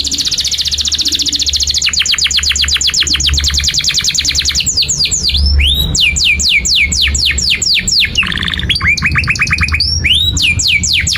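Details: Long continuous canary song, 'gacor panjang' with 'cuit cuit nembak' notes, used to tutor young canaries learning to sing: rapid high trills of repeated sweeping notes that shift speed and pitch, over a faint low hum.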